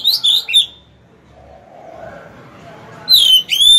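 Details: Oriental magpie-robin used as a decoy to provoke wild birds to fight. A short burst of whistled notes is followed by over two seconds of near quiet, then a rising whistled phrase.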